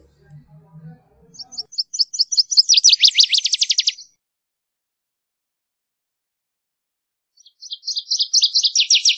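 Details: Faint low rumble at first, then two Northern waterthrush songs. Each is a string of crisp, high, repeated notes that accelerates into a loud, rapid, downward-sweeping finish.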